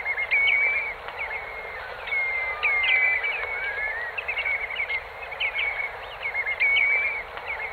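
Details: Eurasian oystercatchers (Haematopus ostralegus) in the Kent Channel, Morecambe Bay, calling together in a busy chorus of sharp, high, piping whistles that overlap almost without pause.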